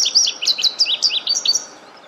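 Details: Small bird's melodious song in still natural surroundings. Quick high whistled slurs and short chirps tumble one after another, then fade out near the end. Background otherwise quiet.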